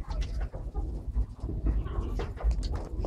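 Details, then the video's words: Holle cropper pigeons kept in an aviary in Malaysia give low, rumbling coos in soft repeated pulses, with shuffling and clattering aviary noise around them. "Holle Cropper pigeons"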